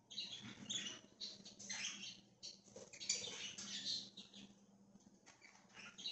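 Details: Budgerigars roaming free as a flock, October 13, 2024, give dense overlapping twittering and scratchy chirps, nearly continuous for several seconds, then quieter, with a faint low hum underneath.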